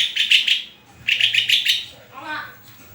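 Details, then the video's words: White-rumped shama giving two quick series of pulsed, chattering notes, followed by a softer, wavering note. "SUARA INDAH BURUNG MURAI GACORRRRR!!!"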